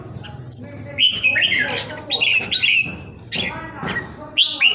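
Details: Caged red-whiskered bulbul kept and carefully tended at home during the Covid lockdown, singing strongly; bright, loud warbled whistles in short rising and falling phrases, repeated in quick bursts, with sharp high notes opening and closing, and a low background murmur.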